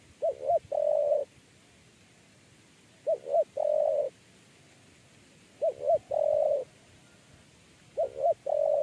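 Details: Spotted dove with a three-note 'kuk 3' coo, a bird that ran chasing and went straight into a trap cage. Four low mellow phrases about every 2.5 seconds, each two short quick notes then a longer sustained coo; quiet background otherwise.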